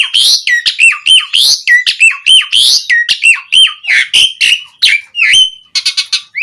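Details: Asian pied starling singing loudly and continuously to call other starlings: a fast varied series of harsh notes and clear whistles sliding down around the mid range, phrases repeated in quick bursts with brief gaps.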